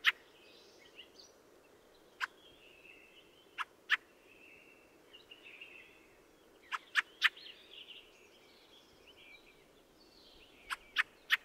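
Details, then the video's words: Scattered dry, rasping chacks from a Fieldfare (Turdus pilaris), some single and some in clusters of three, over a steady wash of distant high-pitched twittering and warbling. "The song of the Fieldfare"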